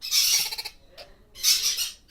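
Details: Monk parakeet chicks, healthy and at a good age for hand-rearing, in Kerala, give harsh, raspy squawks in two grating bursts about a second apart, with a man's voice faintly beneath.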